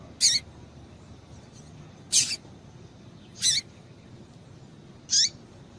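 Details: Female double-collared seedeater calls meant to excite males: four short, high, buzzy chips spaced roughly one and a half seconds apart, each a brief harsh burst with a faint lower tail, against a quiet background.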